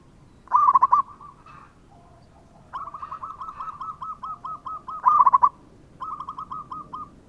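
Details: Local zebra dove alternating loud, rapid, trilled coo bursts with long even trains of softer repeated coos, about a dozen notes in the longest run.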